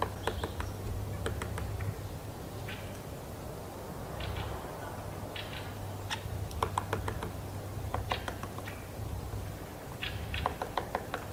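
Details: Woodpecker knocking: irregular dry taps, some bunched into quick clusters of three to five, separated by pauses, over a steady low hum and faint background noise.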